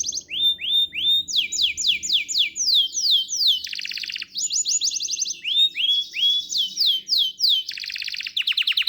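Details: Canary song: long rolling series of repeated sweeping notes, each phrase a rapid run of downslurred whistles sliding from high to lower pitch, switching to buzzy trills and higher fast tours, with a faint low hum beneath.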